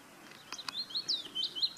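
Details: Willow warbler in song in Auld Haa Garden, Fair Isle, giving a brief run of high, liquid warbled notes after a couple of faint clicks.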